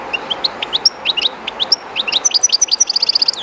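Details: Owner's European goldfinch, shy in a new setting by the river Jerte, delivering a lively song of liquid, high chirps and quick slurred notes that build into rapid repeated trills, with steady river rush beneath.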